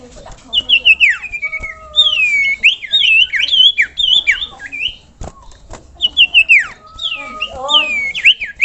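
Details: Sirtu (common iora) tutor song meant to provoke rival birds: dense bursts of fast looping whistles and chattering notes, with a few longer level tones between the phrases.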